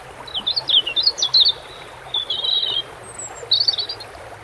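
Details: Song of a European robin near water: a fast run of sharp, high, tumbling notes, then two shorter fluttering warbles separated by pauses, set against a gentle background hiss of water.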